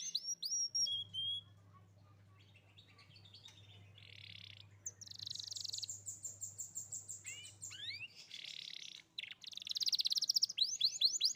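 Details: Young canary singing as a prompt for a stalled canary: a few sharp high chirps, a quiet stretch with low hum, then buzzy high trills and sweeping notes building into rapid repeated rattles.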